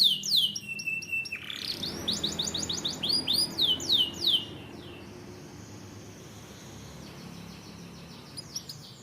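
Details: Canary song for training: repeated high downward-sweeping whistles and rapid slurred notes for about four seconds, then the singing stops and only steady low background noise remains.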